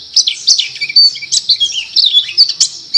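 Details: White-eye giving short ngriwik phrases, separate high twittered notes and brief slurred chirps spaced a few tenths of a second apart, fairly loud against a quiet background.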